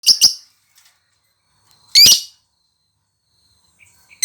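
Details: Lovebird giving two sharp, shrill chirps in quick succession, then a lone harsh chirp about two seconds later, with near silence between the calls.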